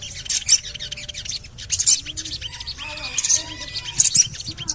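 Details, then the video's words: Javan cochoa 'cuit cuit cuit' lure to get birds singing: scattered high sibilant chirp bursts, plus faint steady whistles and a few soft lower notes in between. "CUIT...CUIT...CUIT PANGGILAN SOGON AGAR BUNYI"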